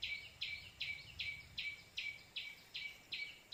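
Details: White-breasted waterhen call used as a trapping lure, with two birds arriving within seconds: harsh, buzzy notes repeated steadily about two and a half times a second, each with a thin whistled edge. Faint low rumble underneath.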